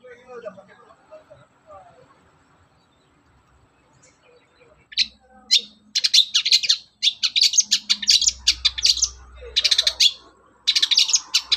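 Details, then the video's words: Long-tailed shrike singing vigorously in the morning, played as a lure to make other shrikes sing: near-silent start with faint low chatter, then from five seconds dense bursts of harsh, scratchy high notes in rapid irregular runs, briefly over a low hum. "SUARA PANCINGAN BURUNG CENDET GACOR PAGI HARI"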